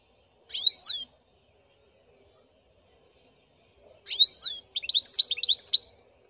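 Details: Black-headed goldfinch singing: two bursts of high, bright twittering, a short tinkling phrase, then after a pause a longer phrase ending in quick chirpy notes, with silence between.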